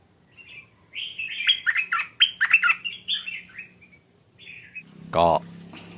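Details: A wild Stripe-throated Bulbul heard in the forest sings quick, bubbly, chirping phrases for about three seconds, including a doubled phrase, not yet at full voice and still holding back. A man's voice follows briefly.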